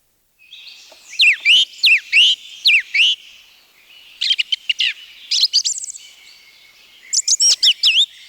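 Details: Song Thrush, Turdus philomelos, among forest birds of Wielkopolski National Park, Poland, 1990: a loud whistled phrase repeated about five times in quick succession, followed by sharper rapid note clusters and another repeated chirping phrase, in a quiet background.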